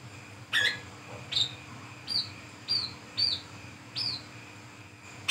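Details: Brown-throated sunbird in ngriwik ngeplong style, recorded at night for use as a lure, giving sharp high chirps that arch up then slide down, spaced roughly every half to one second, over a faint steady hum.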